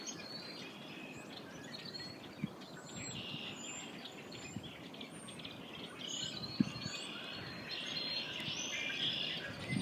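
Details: A flock of red-winged blackbirds, sheltering from freezing cold winds, keeps singing as if the sun were out: a dense, overlapping chatter of squeaky whistles and creaky notes over a steady rush of wind.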